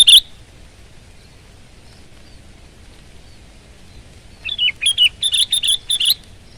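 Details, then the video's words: A vocal Sooty-headed bulbul gives one brief note, then after a pause a lively phrase of slurred, wavering whistles that tumbles down and back up over about two seconds. "Kutilang Gacor Garuda Suara Full Power"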